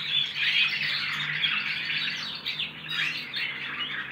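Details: Juvenile goldfinch-canary mules rehearsing, several delivering canary-style song as a dense nonstop warble of high chirps and rolling notes, with a faint electrical hum in the background.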